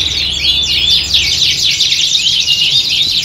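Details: Several canaries in a contest-style chorus used to build fighting spirit: shrill overlapping trills with bright whistled sweeps, steady and unbroken, over a low hum.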